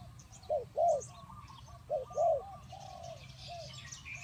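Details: Spotted dove, recorded as a lure for trapping, giving two short phrases of hollow coos, each a brief note then a longer one, fading into soft coos and distant chirps.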